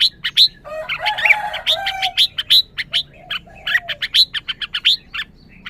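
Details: Red-whiskered bulbul mixing a rough, lower warbling phrase early on with a scatter of crisp high chirps and occasional slurred notes.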